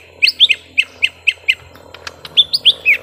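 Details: Young lesser green leafbirds in a long fight: sharp, bent chirps repeated about every quarter second, a short lull, then a fresh burst of upward-flicking notes.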